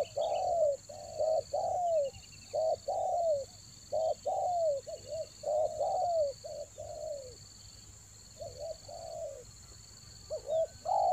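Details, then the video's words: Rainy-season spotted dove calling from Toba, used to lure birds: a long, dense run of rounded, slightly falling coos, often paired as short and long notes, under a continuous high insect whine. "TEKUKUR PIKAT RAJA ANGGUK"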